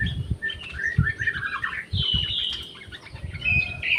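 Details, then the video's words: Orange-headed thrush kept in an aviary shared with jali birds, singing quick warbled and whistled phrases that end in a bright, sustained whistle, over frequent low thuds and rustling noises. "SUARA ANIS MERAH"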